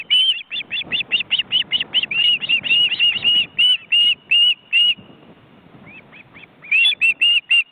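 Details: Ospreys at a nest in an Estonian forest reserve, filmed by a live webcam, with grown chicks flapping their wings in a crowded nest of four birds. Rapid, evenly paced series of high, whistled, slightly downslurred notes, pausing briefly, then resuming.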